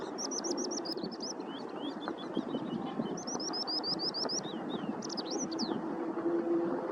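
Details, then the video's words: Wild Eurasian skylark on the Edogawa riverbank in Tokyo, Japan, recorded in March 2025; rapid, high, chirruping song of repeated sharp trilled notes and rising slurred whistles, continuous and fast, with low traffic rumble in the background. "ヒバリの鳴き声 (Alauda arvensis) - 野鳥の鳴き声 / Eurasian Skylark Sounds"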